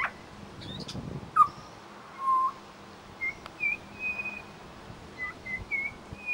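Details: Australian Pied Butcherbird singing and imitating local sounds in suburban Brisbane; sparse clear whistles, one falling slur, then repeated short high whistled notes spaced about a second apart.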